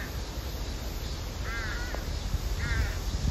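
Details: Two drawn-out, quavering crow calls, a female asking the male to feed her, separated by about a second, quieter than the persistent broadband hiss.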